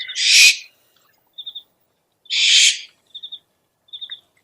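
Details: Owl luring call: two drawn-out harsh screeches roughly two seconds apart, separated by sets of three short high clicking notes.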